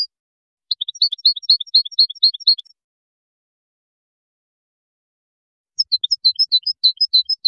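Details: Moroccan goldfinch in the widani song style, 2019: two rapid phrases of high twittered chirps, each about two seconds long, separated by a three-second silence.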